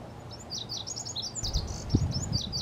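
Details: A Lazuli bunting sings a run of high, bright notes and quick slurred phrases that tumble on without pause, over a low rumble of wind or distant noise; filmed May 2022.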